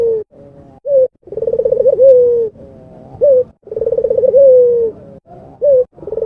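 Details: Repeated cooing from an albino Barbary dove: short soft coos alternate with a pulsing rolled phrase that ends in a sustained, lowering note. There is no background noise.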